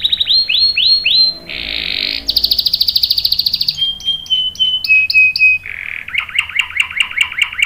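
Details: Canary singing energetically, long rolls for luring and tutoring young birds; varied phrases of slurred notes, a buzzy roll, rapid high trill, pure steady whistles and swooping notes.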